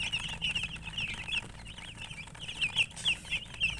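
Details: Coloured chickens chirp rapidly, high piercing peeps running together, with a few louder distinct notes near the end.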